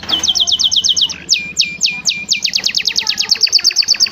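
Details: Canary song recorded as a master for other canaries: fast rattling series of repeated high notes, then slower looping sweeps, breaking into quick buzzy rolls, over a soft low hum.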